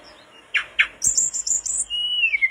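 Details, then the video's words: Mangrove blue flycatcher (tledekan bakau) in steady song, meant for tutoring caged flycatchers: two sharp chips, a quick high-pitched trill, then a long, clear whistle sliding gently downward. "tledekan bakau gacor teler"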